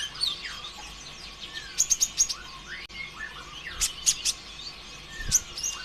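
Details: Sunbird, locally konin ijoan or kolibri ninja, in energetic lure song meant to prompt other birds to sing. Sharp high ticks come in clusters between thin slurred whistles, with a brief pause near the middle.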